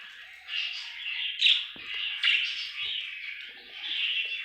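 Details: A contented budgie's soft, steady warble of buzzy chirps, with two sharper squeaky accents near one and a half and two and a half seconds, flowing without pause.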